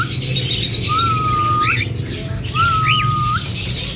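A cockatiel gives two long, level whistles, each ending in a quick rising upturn.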